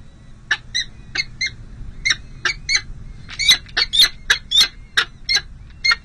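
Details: At the San José City Hall peregrine falcon nest on 5 May 2022, during a first, difficult feeding of two chicks: short sharp squawks in irregular bursts, growing louder and quicker in the second half, over faint low hum.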